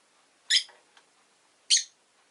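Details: Rosy-faced lovebird uttering two loud, harsh, buzzy chirps roughly a second apart, the first trailing into a lower softer tail.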